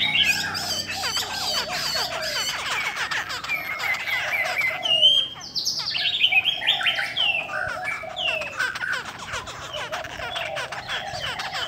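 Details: Female cow-skin Chinese hwamei calling to rouse male birds; a dense run of rapid down-slurred notes and whistles, a short lull mid-way, then bright rising whistled phrases and busy chatter.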